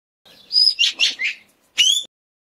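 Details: Indochinese green magpie confronting a Dione rat-snake gives a short run of harsh, high chattering notes in three quick bursts, then a sharp rising squeal after a pause.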